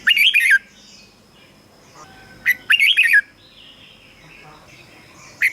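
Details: Red-whiskered bulbul song, played to stimulate caged birds or used as a decoy; two short bursts of chattering whistled notes, with softer warbling from another bird in the background.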